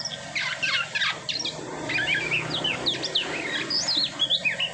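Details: Asian pied starling singing after its moult: a string of slurred whistles that rise and fall, mixed with short chirps, over a soft low background noise.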